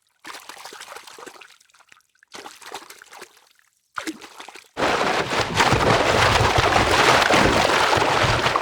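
Water trickles and splashes in three short bursts, then a steady, loud pouring and sloshing runs to the end, with no animal calls heard.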